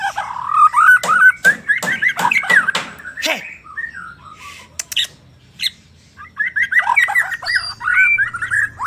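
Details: White-rumped shama of the Borneo plump form, a prolific singer with rich mimicry, used to prompt silent shamas to sing: varied whistled phrases around the mid range, some harsh rasping notes, a brief pause, then fluting warbles resume.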